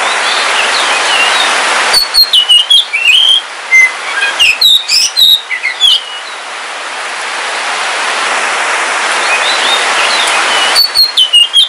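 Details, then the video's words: Oriental magpie-robin, black Kalimantan form, kept at home and singing during rain: bursts of bright whistled and chirped notes separated by a long stretch of loud rain hiss, a fresh burst at the end. "Suara Kicauan Ketika Hujan - KACER WULUNG KALIMANTAN"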